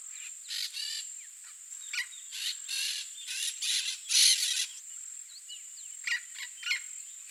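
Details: Free wild yellow-faced parrot in Brazil, a species endemic there, giving harsh, raspy squawks in short bursts, about a dozen over seven seconds, over a steady high insect hum.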